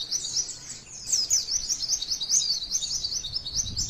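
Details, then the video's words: A white-eye sings a long, unbroken stream of very high, thin, rapid, jumbled twittering notes, a long song used to prompt other white-eyes to sing, with only faint background hiss. "PLECI TEMBAKAN MANTENAN PANJANGGGGGGG"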